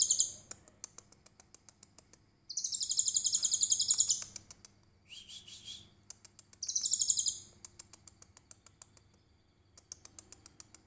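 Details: Tutor recording of a trotol konin with cililin shots: dense, very high rattling trills of one to two seconds repeat several times, with a short lower buzzy note and dry ticks in the gaps.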